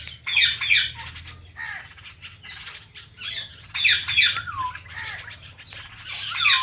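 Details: Two pet Indian ringneck parrots, one blue, chirping naturally: bursts of harsh squawky chatter with short falling whistled notes, irregular and overlapping through the clip.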